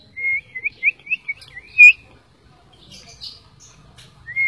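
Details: White-rumped shama lure song meant to provoke other shamas: a string of short, even whistled notes, slightly wavering, ending in a louder note, then a pause before a faint high chatter and a final rising whistle.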